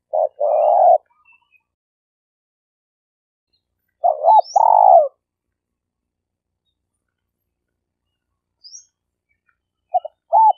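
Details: Spotted dove (tekukur), a Malaysian denak lure bird used for trapping: low burred coo phrases separated by long silences, a short arched note leading into a longer rolling coo, with faint high chirps between.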